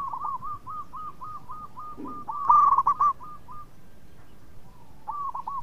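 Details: Local zebra dove, a male singing from a perch in Indonesia, delivering rapid series of soft even coos repeated many times, then a louder trilling burst near the middle and a short cooing phrase at the end.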